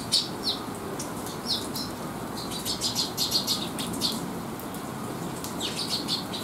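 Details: Young sparrows resting after feeding while sheltering from rain on a rainy day, 8 July 2021: short, high, thin chirps in scattered clusters, some in quick runs of three or four, with soft wing flutters over a steady hiss of rain.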